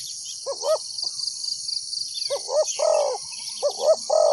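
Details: Decoy spotted dove calling to attract wild doves for trapping, three low cooing phrases of short paired notes ending in a drawn-out burry coo, with a constant shrill insect drone behind.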